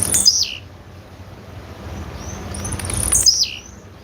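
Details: Female blue-black grassquit calling: a high, bright note sweeping steeply down and ending in a short buzzy tail, given twice about three seconds apart over a low rural hum.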